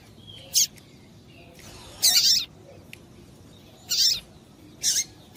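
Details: Calling female double-collared seedeater, aimed at exciting the male: a thin high chip, then a longer harsh buzzy note, followed by further rasping calls and a sharp chip at irregular intervals.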